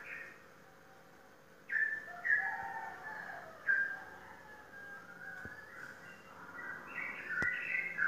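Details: Sooty-headed bulbul, a caged competition bird from Indonesia that has won contests, giving short whistled phrases that slur up and down, separated by brief pauses, then a rising chattering run near the end, over a faint steady hum.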